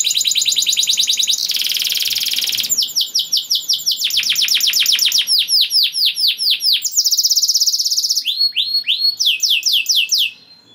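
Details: Energetic canary song that encourages other canaries to enter breeding mood and sing; buzzy rolls, long runs of swooping repeated notes at changing speeds, and a bright trill before fading out.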